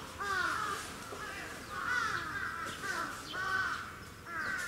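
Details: Sarus cranes in a Japanese safari park bird area, Gunma, on 10 November 2018, uttering loud rolling trumpet calls in four or five separate bursts, each a cluster of arching notes.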